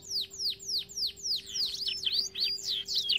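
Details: Canary song for training birds, a series of clear descending whistles repeated about four per second, then overlapping warbled swoops; a faint steady hum underneath.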